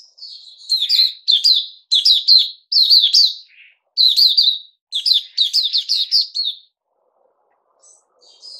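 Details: A Puteh Raja bulbul, kept and fed by a bird keeper, recorded 8 May 2021, sings a run of loud, rapid chirping bursts, each a quick cluster of bright notes. The song trails off into a short pause and faint high notes.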